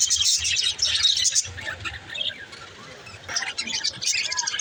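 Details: Male green lovebird chirping: rapid high-pitched squeaky chirps in dense bursts, dropping off briefly near the middle and resuming loudly toward the end.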